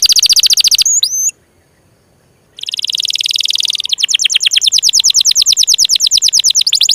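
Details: Canary singing intended to prompt stuck, lazy or young canaries: a fast rolled trill, a silent gap over a second long, then extended rapid trills with a faint low background hum.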